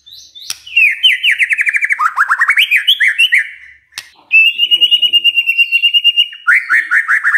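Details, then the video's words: White-rumped shama song played to prompt replies from other shamas: rapid trilled whistles rising in pitch, a brief gap, then a long even high trill and closing repeated notes. "pancingan murai batu ini bikin GAMPANG NYAUT murai lainnya"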